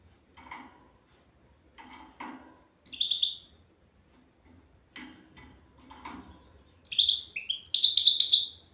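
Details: Souk Ahras-style European goldfinch song in brief high twittering phrases, ending with a fast, loud tinkling run, among repeated rustling, scraping bursts of noise.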